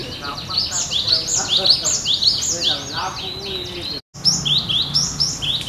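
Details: Cinereous tit singing in full, lively voice, described as sounding like it does in the wild: rapid high whistled notes sweeping up and down, packed densely, with a brief gap near the end, low background hum.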